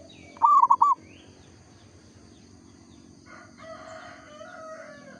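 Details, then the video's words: A local zebra dove in vigorous song gives one rolling phrase of three looped coos at the start, followed by quieter, harsher, drawn-out calls from another bird and background noise. "perkutut lokal gacor suara asli bikin ribut sekampung"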